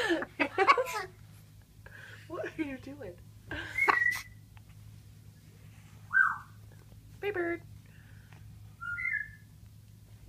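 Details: Pet military macaw playing with bathroom towels indoors, laughing and cooing: scattered low throaty chuckles and bursts alongside brief clear whistles and rising then falling whistled notes, with a person's voice and laughter mixed in.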